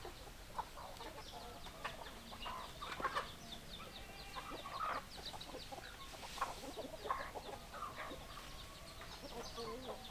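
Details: Chicken flock clucking: scattered short clucks and brief nasal notes overlap in a busy chatter, with faint high chirping running throughout.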